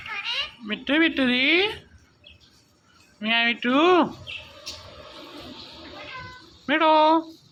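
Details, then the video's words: A talking rose-ringed (ringneck) parakeet gives three bursts of nasal, meow-like phrases that swoop up and down in pitch, with quiet room noise between them. "Talking Parrot"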